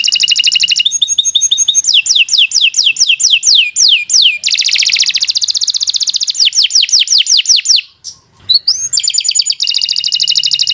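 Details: Canary song used to train young birds, long and varied: dense buzzy trills, series of falling whistled notes repeated rapidly, rattles, and a short gap before a bright, fast trill resumes.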